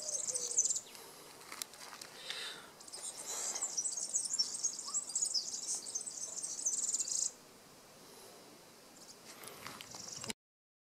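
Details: European serin from Praia do Vau on Portugal's Algarve coast, recorded while digiscoping: a sustained, very high, glittering buzzy trill lasting about four seconds, preceded by short high fragments, over faint background hiss.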